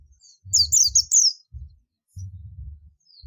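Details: Oriental white-eye of the buxtoni form giving its ngalas call to summon companions: a quick run of four high, thin, downslurred chirps, then a pause, with low dull thumps in the background.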